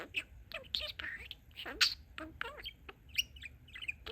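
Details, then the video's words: Talking pet male budgerigar producing a rapid mix of chirps, clicks and short squeaky speech-like notes, irregular and varied, in a quiet indoor setting. "Talking Parakeet"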